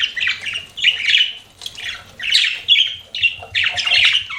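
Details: Budgerigar chirping in short bursts roughly every half second, scratchy chattering notes with a few clearer whistled tones mixed in.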